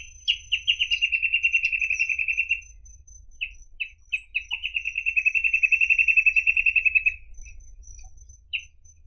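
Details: Endangered reed parrotbill in song: long fast trills of bright, evenly repeated chirps, the first about two seconds, the second nearly three, separated by scattered single notes, with a faint steady high-pitched hiss behind.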